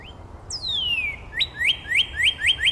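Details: Neighbouring Northern Cardinals in Angrignon Park trading song variants. A brief rising note is followed by a long whistled slide falling from high to low, then a run of six bright, upward-slurred units repeated about every quarter second.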